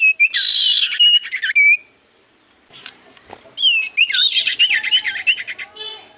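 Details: Common iora song played to coax silent birds into answering: a harsh buzzy phrase with whistled ends, a quiet gap, then a long run of rapid wavering whistles and chattering notes.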